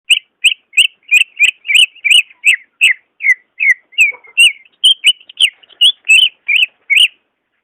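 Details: Greater green leafbird song, offered as a lure for leafbirds reluctant to sing: a steady series of short whistled, slurred notes repeated almost three times a second, each with a faint high overtone, clean and without background noise.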